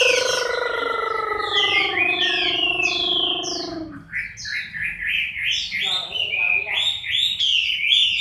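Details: Chinese hwamei, moulting, October 2015: a few whistles ride over a falling, buzzy harmonic drone for four seconds. The drone then stops and fast, bright, repeated whistled phrases take over.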